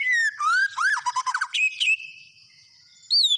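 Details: A white-rumped shama sings a quick burst of looping whistles and a fast trill, then holds one long, level whistle before a final high note.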